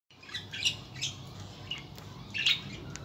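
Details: Budgerigar (Melopsittacus undulatus), chatter.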